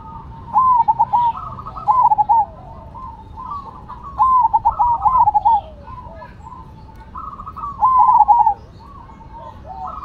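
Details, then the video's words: Cemani and Silver Zebra doves in a singing contest: bursts of quick, pulsing coo notes, in four clusters roughly every two seconds, with quieter answering phrases between them. "Perkutut Cemani Gacor Vs Silver Gacor"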